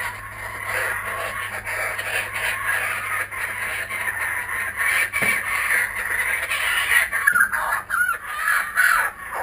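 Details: Kookaburras back at a home, recorded on GoPro Hero 3D and Fujifilm W3 cameras: a dense, ragged chorus of raucous overlapping cackles, louder toward the end, with a low steady hum underneath.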